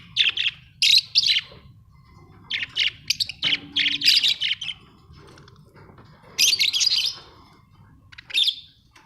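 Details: Budgerigars chirping busily, Australian budgie parrots giving dense runs of bright, scratchy, warbled chirps in clusters with brief pauses, plus a short low hum in the middle.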